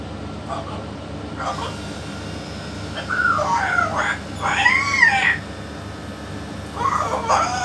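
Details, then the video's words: Yellow-naped amazon parrot talking, called a king among parrots. It gives a few harsh, wavering, harmonic-rich utterances that rise and fall, with a long pause before a final burst and a steady low hum behind. "ببغاء الامزون اليلوناب الملك يتكلم"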